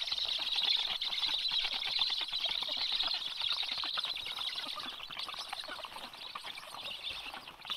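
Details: Black stork family at the nest on 21 July 2022, as adult Karl II brings an early breakfast: a steady, hissing, rapid chatter, high and rasping, pulsing about twice a second, fading slightly toward the end.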